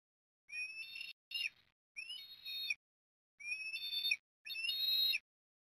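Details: Eastern osprey chicks begging at feeding time on a nest at Port Lincoln, Australia, 30 October 2021: four high, thin whistled squeals, each starting with a rising sweep, separated by short silences.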